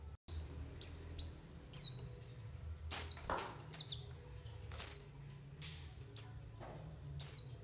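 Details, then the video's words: White-eye call used as a lure to prompt white-eyes to sing and for bird trapping: high, thin notes sliding sharply downward, given irregularly about eight times over a low background hum. "SUARA PANGGILAN PLECI UNTUK PANCINGAN PLECI AGAR NGALAS BUKA PARUH DAN UNTUK PIKAT"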